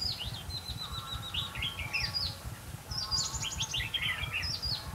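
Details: Decoy red-whiskered bulbul singing at a trapping site in Vietnam, pouring out rapid chirpy warbled phrases with quick rising and falling notes, nearly continuous, over low background rumble.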